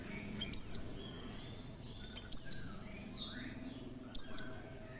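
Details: Clear call of a female Oriental white-eye, used to provoke other white-eyes into singing: three piercing high notes swooping downward, spaced nearly two seconds apart, each followed by a faint fading echo-like tail, over a quiet background.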